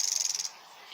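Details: Mistle thrush flight call: a dry, harsh rattle, about a dozen quick clicking notes run together in half a second, then quiet with faint background hiss.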